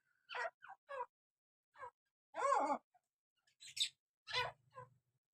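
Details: Breeding pair of grey francolins give a string of harsh, ringing notes in short bursts, with a louder burring phrase midway and squeaky chirps near the end.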